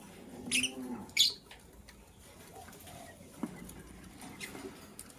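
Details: Caged green and blue lovebirds scrambling for vegetables in the morning: two short, sharp high chirps in quick succession, then scratching, rustling and faint clicks as the birds move about.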